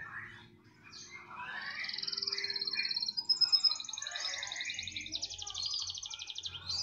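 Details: Canary pouring out long rapid trills and rolling buzzy runs, rising in loudness midway, with warbled notes between and a faint low hum behind.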